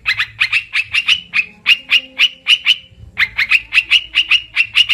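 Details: Lure call of an olive-winged bulbul for trapping birds: quick grating chatter notes in a long run, a brief silence near three seconds, then the chatter resumes just as fast.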